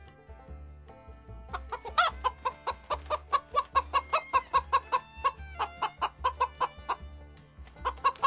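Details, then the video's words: Chicken: a hen clucks in a steady run of short, mid-pitched notes, about two or three a second, over quiet background music. "Som do Galo e Galinha"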